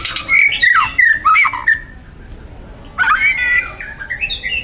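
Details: Young wild white-rumped shama singing loud, dense, harsh material: two bursts of varied whistled and scratchy phrases, sweeping notes around mid-high pitch with fast chattering trills, separated by a short pause.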